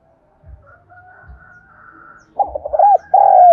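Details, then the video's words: Decoy spotted dove cooing to entice wild doves: after a stretch of faint background calling and low thumps, a burst of quick rolling coos is followed by a long, slightly falling coo. "Tiếng cu gáy chiêu bổi/ hay tiếng chim cu mồi gáy gọi dùng kích bổi hiệu quả"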